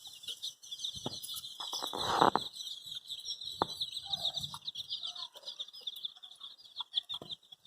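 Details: Many dyed baby chickens peep constantly in search of their mother, a steady stream of high, shrill chirps overlapping one another, broken by a few louder scuffling and rustling noises.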